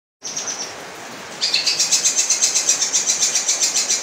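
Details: Long-tailed shrike (cendet) in full song: a high thin note, then rapid harsh, scratchy pulses repeated about four times a second over steady background hiss.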